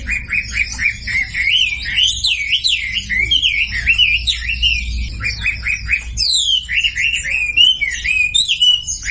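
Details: Sumatran leafbird lure song for silent birds: bursts of short repeated chips give way to fast zigzagging whistles, a high rising note, then more chip series.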